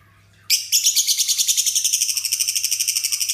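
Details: Lovebird in ngekek song, lifting one foot while singing, with learned imitations of other birds mixed in: after brief quiet, a sudden long, shrill, rapid pulsing trill of harsh chattering notes, about nine pulses a second, held steadily.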